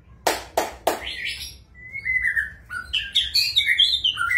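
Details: Three loud clicks open before a magpie-robin sings a long even whistle and then bright, high twittering phrases.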